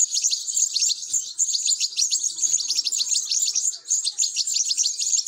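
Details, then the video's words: Goldfinch nestlings calling as they are fed, a steady stream of sharp, high-pitched squeaky chirps, repeated in quick pulsing bursts with no pause, plus a faint knock. "تزقيم فراخ الحسون"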